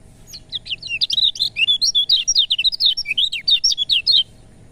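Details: Lemon-bellied white-eye song: a lively four-second run of sharp, high, zigzagging chirps in quick succession, then silence. It is played to make reluctant lemon-bellied white-eyes start singing.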